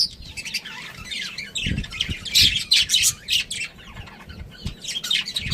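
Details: Budgie breeding pair and family giving continuous high, buzzy chatter mixed with short rising squeaks and warbles, over occasional soft low thumps.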